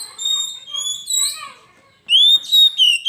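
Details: Kacer, the Oriental magpie-robin, on a lure master: a softer, wavering whistled phrase with deep overtones, then a loud pure rising whistle and quick sharp notes.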